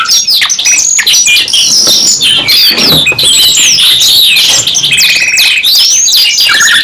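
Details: Two canaries singing at once in a long, energetic song: fast twittering notes and sliding whistles, with a steady rolled trill near the end and brief low whistled notes.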